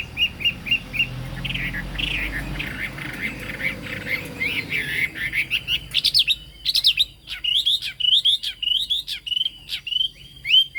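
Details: Chinese hwamei with yellow bill and fig-leaf-shaped tail, singing high: quick repeated chirps, a dense warbling passage over a low hum, then loud zigzag whistled notes roughly every half second.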